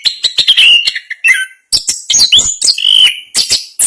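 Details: Rapid, dense ngerol-style song of an Orange-headed thrush from Indonesian songbird contests: quick sharp chips, slurred whistles dipping and rising, and high squeaky notes delivered in tight bursts with only a brief break.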